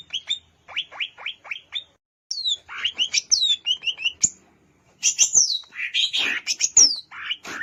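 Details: Song of a wild greater green leafbird from Alas Purwo, Banyuwangi: a row of sharp descending chips, then whistled slurs and a dense, scratchy chattering finale.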